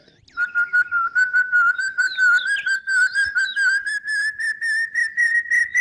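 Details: Common hawk-cuckoo (brain fever bird), Maharashtra, male's advertising call before the monsoon: a fast run of shrill, clear whistled notes, about three a second, climbing steadily in pitch, wooing the female and claiming territory; faint background murmur.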